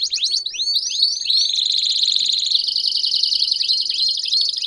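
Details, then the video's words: ['Belgian canary delivering rising slurred whistles, then a rolling sustained trill that jumps higher, with a few more curved whistled notes near the end.'] "Canário Belga Cantando Estourado"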